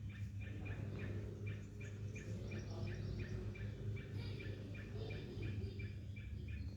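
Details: Rapid series of sharp chirping notes from a bulbul, evenly spaced and repeated throughout, with a loud continuous low hum underneath.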